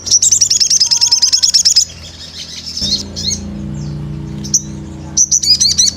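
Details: Sunbird lure calls from an active, vocal bird: a fast string of high, sharp twittering notes, then a quieter gap with low background hum, then renewed bursts of high chirps.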